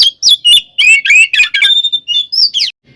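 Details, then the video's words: Oriental magpie-robin delivering a fighting song to provoke rivals: a fast, continuous string of warbled whistles and scratchy chatter that ends in a thin level whistle and a final harsh note. "SUARA BURUNG kacer gacor NGEPLONG tarung KONSLET ini paling AMPUH buat PANCINGAN KACER agar EMOSI"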